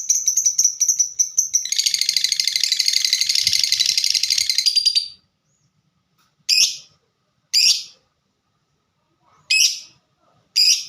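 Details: Fighter-type lovebird singing 'ngetik' (typing) style: an opening rapid buzzing trill lasting several seconds, then four separate sharp chirps about a second apart.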